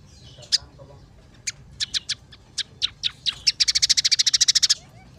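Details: Scaly-breasted munia chirping song, with separate sharp high notes at irregular spacing accelerating into a long, rapid, evenly repeated bright trill that then stops abruptly.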